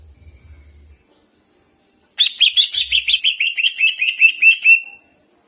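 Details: Energetic greater green leafbird song with ciblek-style mimicry and rolling delivery, meant to provoke other leafbirds into singing: after two quiet seconds, a fast chattering string of about fifteen bright chirps, evenly spaced and slowly dropping in pitch.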